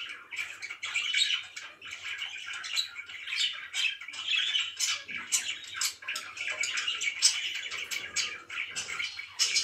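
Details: Pet budgerigar chatter in the morning, a ragged mix of clicks, squawky notes and fast twittering that rises and falls without a break.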